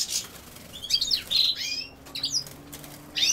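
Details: Goldfinch tied to common sow-thistle: a short burst of tinkling, high chirps and rapid twitters, separated by brief quiet gaps, with a faint low hum underneath.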